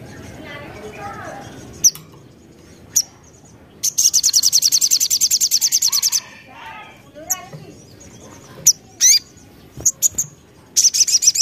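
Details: Lively crested jay (sogon) calling as a lure to make other sogon respond and get agitated; sharp isolated clicks, then a rapid buzzy rattle of about two seconds, more scattered chips, and a final rattle starting.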